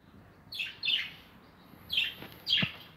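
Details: Budgerigars in a breeding aviary with nests, recorded in 2020. Four short, high, scratchy chirps arrive in two pairs against a quiet background.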